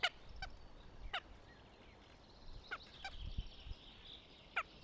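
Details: Northern goshawk at the nest in Tartu, Estonia, on 6 May 2025. Brief, harsh, harmonic-rich notes come at irregular intervals over a steady chorus of small songbirds and some low rumbling.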